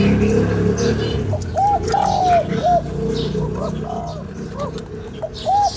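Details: Spotted dove, called cu gáy, cooing to stimulate a lure bird: soft hooting phrases of a short note, a long drawn note and a short closing note, repeated twice. A fainter second phrase follows between them. Steady background hiss.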